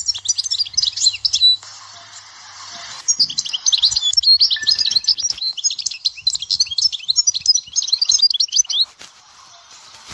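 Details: European goldfinch singing in the Dahwara sector song style from Souk Ahras: rapid, dense twittering of tinkling notes and buzzy trills, briefly pausing near 1.5 seconds, then resuming in a long continuous run until almost 9 seconds, with a faint background hum.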